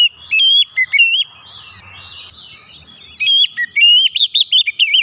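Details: Oriental magpie-robin song, used as quick therapy to get silent or stressed magpie-robins singing: two bursts of loud, sweet whistled notes sliding up and down, separated by a quiet stretch with a low rumble.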